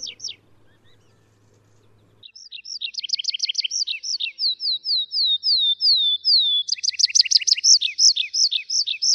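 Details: Atlantic canary (Serinus canaria), wild form, singing rapid double-noted trills, a smooth series of sliding whistles, then a loud fast rattle of bright notes; a faint hum is heard at the start.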